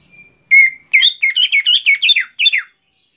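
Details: Greater green leafbird (cucak ijo) heard during song mastering: a thin held tone, then a quick series of loud, rich whistled notes that bend up and down in rapid succession.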